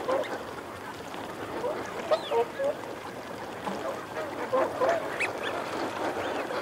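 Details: Wigeon males and females calling, a flock chatter of short low notes and soft clipped calls, with a single brief rising whistle near the middle over a steady murmur of many birds.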